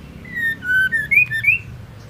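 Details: Female white-rumped shama, her song used to get a male singing: a continuous phrase of clear whistles stepping down, then up, in smooth slurred notes.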